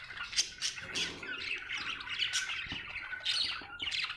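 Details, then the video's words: Budgerigar in a happy mood, giving harsh scratchy squawks interleaved with quick chirps and clicks, a grating, busy chatter. "Happy budgie chirping sound"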